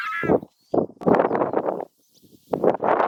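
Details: Southern screamer scream: a brief high harmonic note followed by loud, rough, honking bursts, separated by short silences.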